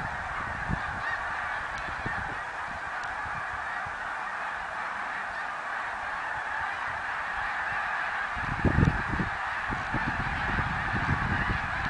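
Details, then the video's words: Massed snow geese in 2014, countless honking voices merging into a continuous yelping chorus; around eight seconds in, a burst of louder low-pitched thuds rises above the din. "Snow Geese song & dance 2014"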